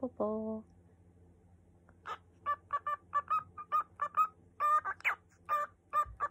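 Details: Cockatiel (Nymphicus hollandicus), song: practicing a learned song.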